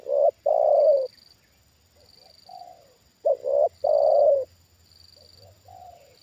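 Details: Spotted dove kept as a trained lure bird, reacting as a wild bird comes down a second time. It gives loud, clipped coo phrases, with fainter softer coos in the gaps and a faint high whine throughout.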